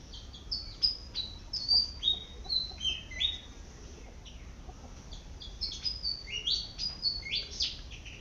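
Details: Malaysian pied fantail calling as it forages in a garden, giving quick bright whistles that slide and step down the scale in uneven bursts, several notes per second, over constant low-pitched background noise.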